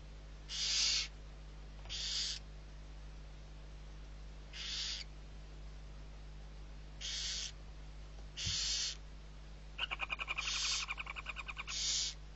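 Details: Barn owl, six owlets being fed at Riet Vell reserve, Ebro Delta, Spain, 21 November 2023. Harsh breathy hisses, each about half a second, repeat every second or two. Near the end comes a quick stuttering, rattling chatter. Steady low hum underneath.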